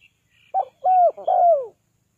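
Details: Spotted dove luring call: a short opening note and two longer, hollow coos, the last gently falling, with faint high chirps from another bird just before.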